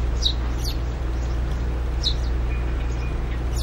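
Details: Eurasian tree sparrow of a nest-building pair at an old hanging birdhouse, bringing in straw; a few clear high chirps, some paired, over continuous low hum.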